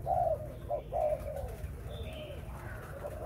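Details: Breeding spotted dove cooing: a few short, mellow, low-pitched hoots in quick succession, over a constant low hum and faint background noise.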